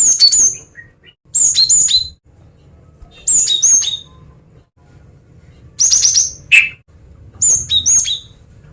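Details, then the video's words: Female cinereous tit singing to draw in males, high thin chirps with falling whistled slurs in short clustered phrases about every one and a half seconds, one harsher lower note mid-way, quiet background hum. "Suara Gelatik Batu Betina Gacor Mancingan Jantan"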